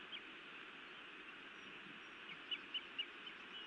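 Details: Female osprey scolding her mate at a nest in Montana, 31 May 2017, evening; after quiet hiss, three short, shrill chirps come about a quarter second apart near the end.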